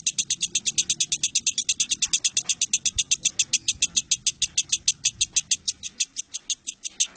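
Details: Competition lovebird singing, recorded 19 January 2018: a fast, steady series of sharp, high chirps repeated about five times a second, each note loud and bright, running without pause through the whole recording.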